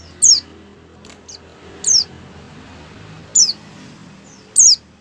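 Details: White-eye, sung to prompt other white-eyes to open their beaks and sing: four separate high, thin, downslurred chirps about a second and a half apart over a faint low hum.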